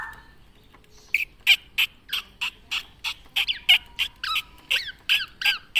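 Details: Tame captive black-naped oriole (kepodang) singing busily: a rapid series of about fifteen loud, whistled and slurred notes, some sweeping up and down, repeated roughly every third of a second after a brief softer opening.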